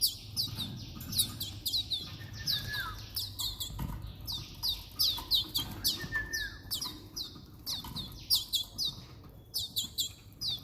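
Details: Timbrado canary, hand-fed with extra powder food, repeats bright upward-sweeping chirps in dense irregular bursts, mixed with clicks, a few lower squeaky notes and background rustling.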